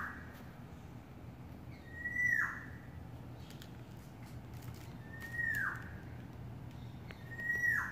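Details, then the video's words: Courting yellowbird giving three slurred notes, each dropping from high to lower pitch, spaced about three seconds apart, over a steady low background rumble. "Beautiful sounds of yellowbird courting"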